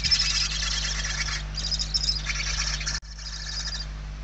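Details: Hungry barn owl chicks inside a nest in Spain, 28 November 2023, one chick very weak: harsh, raspy broadband hissing in long pulsed bursts, nearly continuous, a brief break near three seconds, over a steady low electrical hum.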